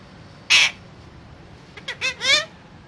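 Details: Pet parrot giving one loud harsh squawk, a pause, then a short run of rising-falling speech-like syllables ending in a wavering drawn-out note.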